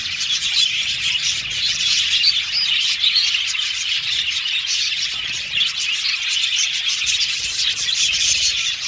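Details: Budgerigars chirping with contact calls meant to find companionship; an unbroken wash of high, rapid chirps and squawky twitters lasting the whole stretch.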